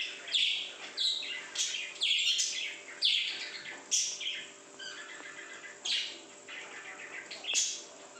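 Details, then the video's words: {'text': 'Happy pet parrot at home calling: a series of high, scratchy chirps and squeaky bursts repeated roughly every second, over a faint steady hum.'} "birds speaking sound"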